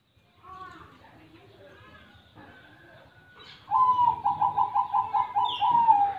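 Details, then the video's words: A zebra dove's song bursts in after quiet murmuring: a rapid series of about nine clipped, evenly spaced coo pulses at one mid pitch, ending in a held note, with a brief higher squeak near the end. "Perkutut Gacor"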